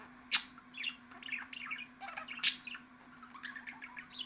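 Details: Budgerigar chattering with two loud, harsh screeches about two seconds apart amid a continuous run of soft chirps and warbles, with a faint hum below.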